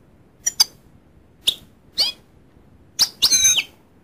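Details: High clipped chirps from a goldfinch, spaced about half a second to a second apart, ending in a brief run of rapid, tinkling, slightly buzzy twittering; no other sounds stand out.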